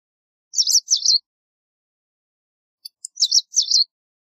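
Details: White wagtail giving two short bursts of high, chirpy double-notes, a pair near the start and another pair about two and a half seconds later, against complete silence.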